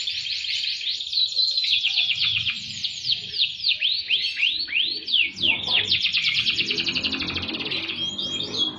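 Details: Melodious cengkok song of a gacor canary: a series of swooping descending whistles repeated several times a second, shifting into buzzy rapid rolls and a high trilled finish.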